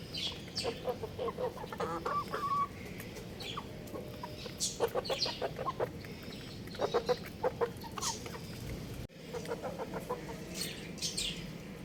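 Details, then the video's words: Young rooster playing on a roof, giving short stacked clucking chirps in quick bursts of several notes. The bursts repeat at intervals over about twelve seconds, with a brief cut near the end. "Adorable Young Rooster Chirping Sounds"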